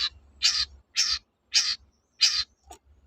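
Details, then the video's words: A long-tailed shrike used to coax silent shrikes back into song gives four loud, grating, rasping notes about two-thirds of a second apart, followed by a short, thin note, over a low hum. "BURUNG CENDET GACOR TOET-TOET, memancing cendet macet kembali gaco"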